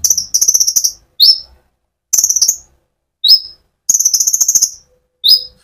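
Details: Sunbird (konin) in full rolling song, used as a lure to stimulate other sunbirds: rapid high buzzy trills of sharp repeated ticks alternating with single piercing upslurred whistles, in short bursts with gaps.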